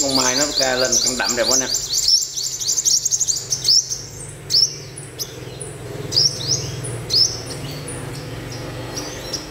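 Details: A wild-caught olive-backed sunbird, kept in a cage and being tamed in the morning, gives a run of thin, high, rising chirps, quick at first then spaced out, after a man speaks in Vietnamese.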